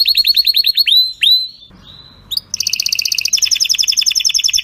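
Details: Canary with a powerful, faultless song for training: rapid rising chirps repeated in series, a brief pause, then a dense, buzzy rolling trill held to the end.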